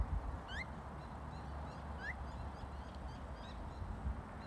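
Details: On a rainy day by the Rillito River in Tucson, Arizona, a phainopepla pair, female calling to male above, gives two soft, rising whistled 'wurp' notes about 1.5 seconds apart, faint higher chatter, steady low rumble.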